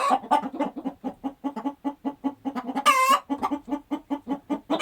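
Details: Several chickens clucking in a countryside farm setting: rapid, rhythmic low clucks repeated several times a second, with one brief higher drawn-out squawk near the middle.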